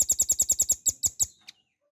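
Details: Velvet-fronted nuthatch in a training recording for cage birds. About eight quick, evenly spaced high piercing notes come first, then three slower, stronger ones and a final faint descending note before silence.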